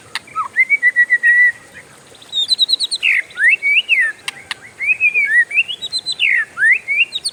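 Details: Oriental magpie-robin, a kept songbird, doing its long roll: rapid trilled bursts, a fluttering high phrase, then loud swooping whistles that rise and fall in quick succession against a faint constant high tone.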